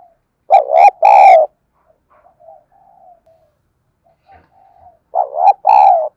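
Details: Spotted dove used as a decoy bird to provoke wild doves into cooing: two loud, low, hollow coo phrases, each a short note then a longer drawn-out coo, separated by several seconds of near silence with faint soft sounds.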